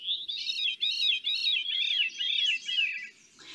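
Veery song: a breathy, ringing spiral of looping notes sliding steadily downward over about three seconds, with an echoing quality, as if sung down a tube.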